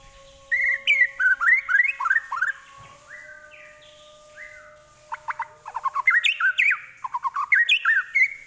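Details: Mimicking White-rumped shama with prinia, kapas tembak and eagle phrases, delivering rhythmic series of downslurred chirps, a few flat whistled notes, then renewed fast bursts of chirping.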